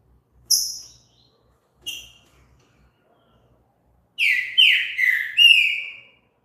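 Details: Green-winged saltator singing as a stimulus for other birds: two short, sharp high notes separated by silence, then a rich whistled phrase of about four slurred, descending notes over two seconds in a quiet setting.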